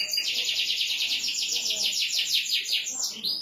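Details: Song of a canary: a sustained, fast, rolling trill of high repeated notes ending in a brief whistled flourish.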